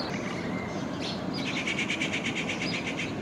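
A common babbler gives a quick run of high chirps, about ten notes in under two seconds, over a steady hiss of background noise.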